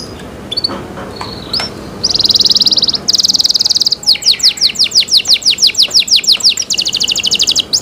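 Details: Faint scattered notes give way to two loud, steady buzzy trills. A cenkok-style canary then sings a fast run of descending whistled sweeps and a closing rattling trill.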